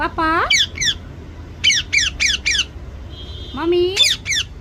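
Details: Indoor pet parrot practising the words "mummy papa". A curving, voice-like note opens the clip, then runs of four quick, high, descending chirps, a thin steady whistle and another rising speech-like sound.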